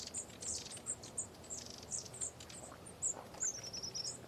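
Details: A flock of long-tailed tits feeding overhead gives thin, very high, scattered see-see notes, about two or three each second, against a soft outdoor hush.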